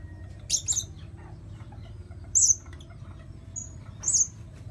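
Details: Blue-crowned hanging parrot used as a lure sound: a few isolated shrill high squeaks, some paired, spaced about a second apart, with faint low background noise.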